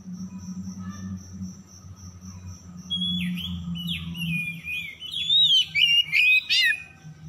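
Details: Oriental magpie-robin (kacer) song used as a lure to make stressed, silent birds sing. After a steady high tone, bright whistled phrases with rising and falling slurs and sharp chips build louder, over a low humming background.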